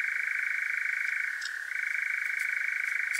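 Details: European nightjar churring at night in Devon, South West UK, recorded with a parabolic microphone and Zoom H5: a steady, rapid mechanical trill held for the whole stretch, dipping briefly in pitch near the middle before resuming.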